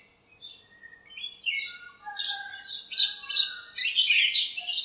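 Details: Several birds in a lemon tree in a home backyard on a cool, sunny morning, chirping and squabbling to one another: high, sharp chirps and short warbled phrases start sparse, then thicken into overlapping chatter after two seconds.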